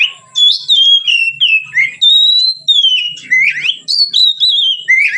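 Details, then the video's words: Relaxed song of a white-rumped shama, played as a training lure for other songbirds: a run of clear, rich whistles sliding up and down, with short rising upswept notes between the longer phrases. "suara Kacer ngeplong santai, pancingan / masteran Kacer"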